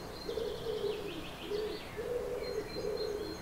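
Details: Common wood pigeon visiting a garden in May, its voice not beautiful but intense: low, hoarse coos repeated in a rhythmic phrase, with thin, high twittering from other small birds above.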